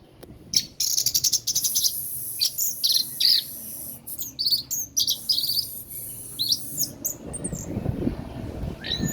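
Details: Ringed orange-headed thrush kept as a songbird, singing after its moult: a fast, high, varied outpouring of chattering trills, sharp chirps and short whistled phrases in near-continuous bursts, with a faint low rumble near the end.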